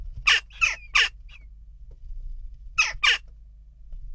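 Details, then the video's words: Unrest at a nest box with western jackdaws giving sharp, raspy 'tchak' calls, three quick ones, a pause, then two more, over a steady low background hum. "Onrust blijft door--kauwen"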